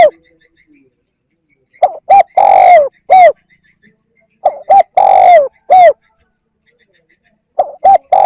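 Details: Luring call of a spotted dove, known as 'kích bổi': repeated cooing phrases, each of two quick notes, a long falling coo and a short end note, spaced about three seconds apart in quiet surroundings.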